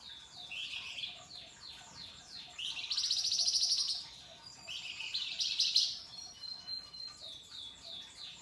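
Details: Flamboyan in active 'gacor' song, described as 'ngebren' rolling trills with rough 'mbeset' slurs and sharp 'nembak' notes, used as a tutor recording: high rapid chattering phrases alternating with loud dense buzzy trills, a short pure whistle near the end.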